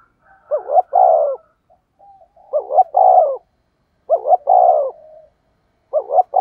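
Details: Spotted dove used as a lure bird to draw wild doves in, giving low cooing phrases around 500–1000: two quick notes then a longer rolling coo, repeated about every two seconds; quiet background.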